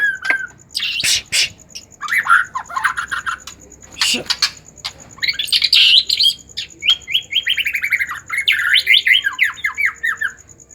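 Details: White-rumped shama in an agitated state, singing to stimulate other shamas to sing: a fast, varied stream of sharp chips, rattling trills and short whistled slurs. The song runs almost continuously, over a faint steady high-pitched tone.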